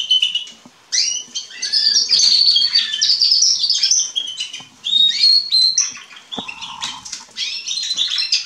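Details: Young Atlantic and domestic canaries from spring 2020 in Remscheid sing in a group: bursts of rapid, high twittering trills and sliding whistles with brief pauses between phrases.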